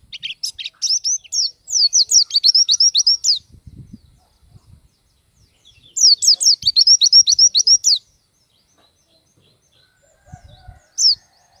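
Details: Pleci, the Oriental white-eye, in vigorous song showing its varied fill-in notes: two bursts of rapid, very high, sweeping twittered notes, each run lasting about two seconds, separated by quiet gaps with faint low knocks.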